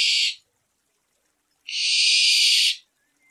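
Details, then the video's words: Night recording of a barn owl: a hissing shriek trailing off at the start, silence, then another breathy, high screech of about a second. "লক্ষী পেঁচার ডাক | Lokkhi Pechar Dak | Barn Owl Call at Night | Barn Owl Screech Sound"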